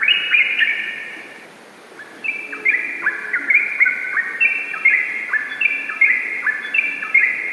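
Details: Yellow-vented bulbul singing in the fast, continuous ropel style: bright whistled notes stepping up and down, a short pause near two seconds, then dense overlapping phrases that run on without a break.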